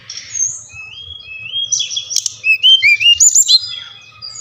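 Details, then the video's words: Brown-chested jungle flycatcher, Bali type, a lure recording to get caged birds singing: thin high whistle, then rising and falling slurred notes climbing into a burst of loud wavering whistles, over a steady low hum. "SRDC bali | Sikatan Rimba Dada Coklat | putar ini pasti SRDC anda ngamuk gacor dengan suara ini"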